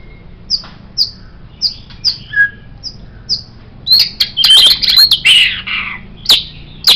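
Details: White-rumped shama tutor song for songbirds: a series of short high downslurred whistles, then a dense loud burst of chattering, twittering notes.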